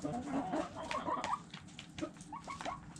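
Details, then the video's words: Chickens eating and pecking: soft murmured clucks and short tonal notes overlap with quick taps of beaks on food. "Chickens Eating Pecking Sounds Noises"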